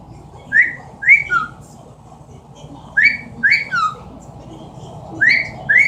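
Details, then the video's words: Pet Amazon parrot imitating sounds indoors, repeating short rising whistles followed by a falling note, in groups of two or three about a second apart, room hum in the background. "The many sounds of an amazon parrot."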